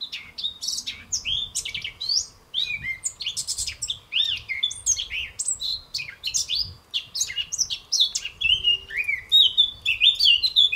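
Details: A European goldfinch (Carduelis carduelis) sings a fast, tinkling run of liquid twitters, trills and bright chirps, high-pitched and almost continuous, over a faint low background hum.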